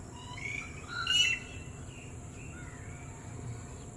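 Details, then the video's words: Red-whiskered bulbul calling to companions far away: a brief bright whistled burst with layered overtones near the middle, then softer short notes trailing off, over a steady low background hum. "When friends are in far away place ... they speak in making sound #Red whiskered bird"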